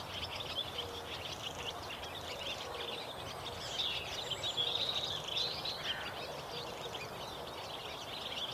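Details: Barn swallows just returned in spring at Viersel Gebroekt, 2 April 2021, keep up a busy, high twittering of quick chirps and chatters, almost without pause, over a steady outdoor hiss.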